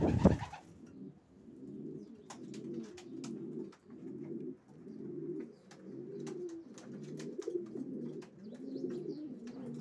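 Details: A steady chorus of racing pigeons: low, bubbling coos repeat in rhythmic pulses roughly every second, after a short loud rustle at the start, with faint clicks throughout.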